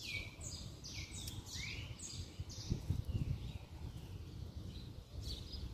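A saffron finch sings hard in bright, sharp chirps and quick sweeping notes, over a steady low rumble of background noise.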